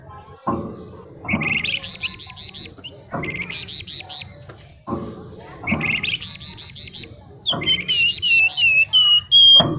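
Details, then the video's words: Flamboyan songbird repeating a phrase four times about every two seconds: a harsh low burst followed by rapid buzzy high rattling notes, the last phrase ending with clear whistled notes. "Burung Flamboyan Gacor Isian Mewah Nyuling Ngebren"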